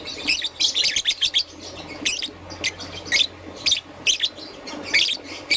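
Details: Young green and yellow peach-faced lovebird chirping in the morning: shrill, harsh chirps in quick clusters, a rapid run near the start, then scattered bursts with short pauses.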